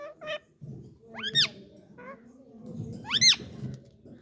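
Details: Talking Indian ringneck parakeet producing short chattering notes and two loud arched, rising-then-falling screeches, with murmuring room sound beneath.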